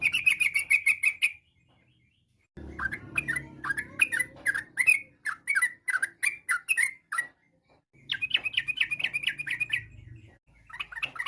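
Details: Singing yellow-vented bulbul used to provoke other bulbuls into answering; a quick bubbly phrase, then a slower run of separate sharp, downslurred notes, then another rapid chattering burst.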